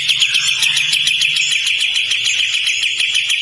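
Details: Unbroken rough rattle from a kapas tembak, a loud buzzy trill of fast pulses running through the whole stretch.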